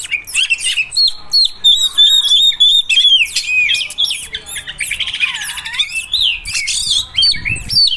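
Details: Sumatran kacer, an Oriental magpie-robin, from a set of five regional variants (Medan, Aceh, Nias, Mentawai, Padang): loud, varied song of repeated whistled notes, harsh rasping phrases and rapid chatters, densely packed.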